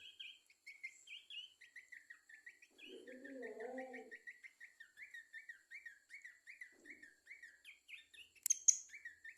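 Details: Babbler singing a long, fast chain of short, clear whistled notes, steady and evenly spaced, with a brief lower warbling phrase partway through and a sharp click near the end.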